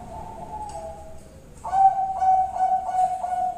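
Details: Zebra dove (Bangkok perkutut) lure song meant to draw a reply: a low steady hooting note followed by a series of short repeated coos at one pitch, several per second, over faint background hiss.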